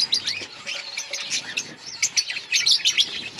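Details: Outdoor budgerigar colony: a few seconds of lively high chirping and warbling from many birds, notes tumbling over each other.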